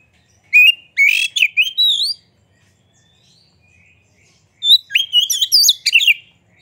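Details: An Oriental magpie-robin sings energetically with its tail opened, a lure to spur other birds to sing. Two bursts of slurred, looping whistles and scratchy chirps are separated by a short pause.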